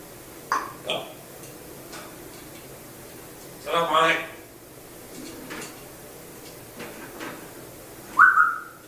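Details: Talking African grey parrot producing short speech-like word bursts spaced by pauses, ending with a clear whistled note near the end; low background hum throughout.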